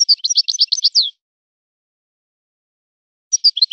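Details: European goldfinch song in the Si Hassan style: a one-second phrase of fast, high, jingling chirps, then silence, then a short fresh burst of twittering at the end.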